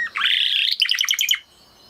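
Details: Song of a Spanish Timbrado canary, the original breed nearest the wild canary: a rising swoop into a smooth sustained warble, then about eight quick bright notes before silence.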